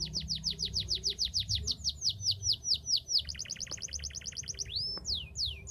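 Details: Canary singing without pause to encourage lazy, silent canaries. A long series of steep falling whistles about five per second, then a rapid paired-note trill, then two rising-and-falling swept whistles.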